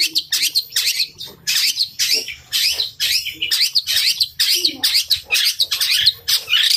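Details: Long-tailed shrike in fighting song: dense, harsh chattering phrases of scratchy high notes, rapid and uneven, with faint low hum beneath.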